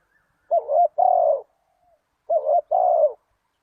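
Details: Spotted dove giving lure calls for wild doves: twice a short rising-falling coo runs straight into a longer, slightly descending hoot, the pairs roughly two seconds apart in quiet surroundings.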